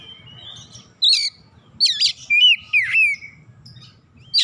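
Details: Song of an Oriental magpie-robin, a bird called lazy and hard to get singing, heard as short bursts of looping whistles and sharp upward-flicking notes after a quiet opening, over faint low rumble.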